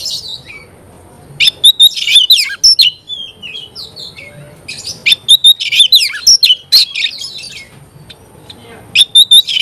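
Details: Oriental magpie-robin in song, short bursts of clear whistles mixed with harsh scratchy chirps, separated by quiet pauses of a second or more.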